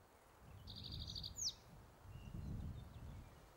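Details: At Metcalf Wildlife Management Area, Nebraska, on May 23, 2023, a male spotted towhee on territory delivers a single quick trill ending in a sharp downslur, amid low wind noise and a faint whistle.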